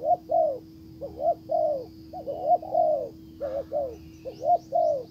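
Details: Spotted dove decoy cooing at a wild bird that turns away; repeated mellow phrases of two quick notes and a longer sliding coo, evenly spaced across five seconds, with a faint higher chirp from another bird and a low hum.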